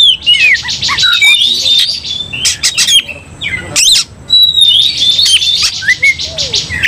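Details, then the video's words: Aggressive Oriental magpie-robins in combative song. Thin high whistles and quick slurred phrases are broken by harsh buzzy bursts and sharp rasping calls, varied and uneven in rhythm. "dalam sekejap Kacer langsung TARUNG bongkar emosi bikin kacer lain ikut dongkrak amarah kesurupan"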